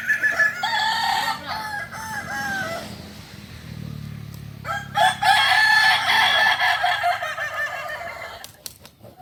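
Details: Kukuak balenggek rooster crowing during a practice contest at Panyakalan, Solok. A stepped, wavering crow opens, followed by a quieter stretch with low background noise, then a second rough, broadband crow burst.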